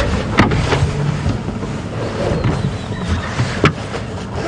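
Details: Loud low rumble of a vehicle with wind buffeting and a few sharp knocks, without any clear animal voice.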